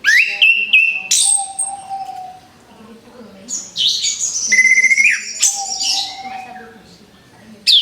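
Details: Orange-headed thrush singing, as therapy for a bird newly finished moulting and about to sing again: sharp rising whistles, high trills and buzzy bursts with pauses, and a flat sustained low whistle running beneath.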